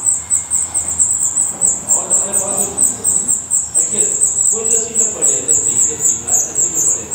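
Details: Black redstart at the nest in Portugal: a fast, steady run of very high, thin chirps repeated about four times a second, with faint lower murmuring sounds underneath.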